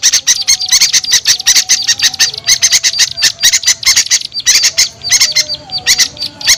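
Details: Calls used to lure small birds down: crowded sharp, squeaky chips in quick clusters, some with thin whistled tones between them, pausing briefly near four and a half seconds.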